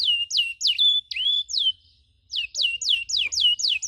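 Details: Canary training recording of cuit-cuit chirps: loud descending whistled notes, one long drawn-out slur, a brief gap, then a regular series of steep downward chirps about four per second.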